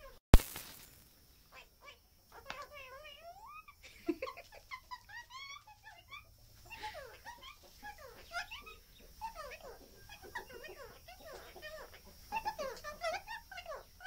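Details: Hand-reared pet Australian king parrot chatting indoors: a long run of varied whistled, warbling and squeaky notes, rising and falling in pitch, after a sharp click at the start.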